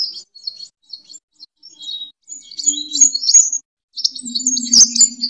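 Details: Sunbird singing its fighting song, a recording used to lure and train birds: short, sharp, very high chips and trills that build into a busier chattering run, with brief low hum in places.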